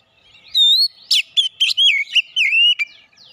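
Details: Fighter-character Oriental magpie-robin singing a varied phrase: a sustained whistle, then sharp clipped notes and wavering, slurred whistles run together.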